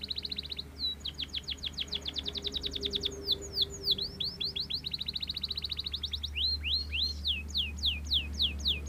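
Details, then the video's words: Belgian canary singing at length: fast, even trills of high rising notes, broken by a few slower sweeping whistles, then more rapid rolls and louder downward-sliding notes, over a steady low hum. "CANARIO BELGA CANTANDO MUITO"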